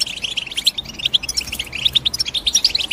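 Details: Rapid European goldfinch chirps, bright tinkling notes strung in quick succession about six per second, some sharper accented twitters, steady and clear over quiet background.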